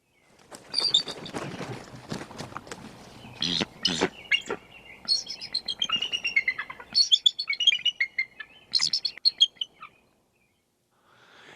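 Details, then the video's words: A nesting pair of bald eagles in Trempealeau, Wisconsin, give thin, high, squeaky piping notes in quick falling chattering runs, with bursts of rustling, wind-like noise early on. "You're hearing a pair of bald eagles in Trempealeau, Wisconsin."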